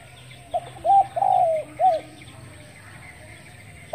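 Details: Morning cooing of a spotted dove: one full four-part phrase, a short note, a brief coo, a long sliding coo, and a rounded closing coo, then quiet hiss until a new note starts.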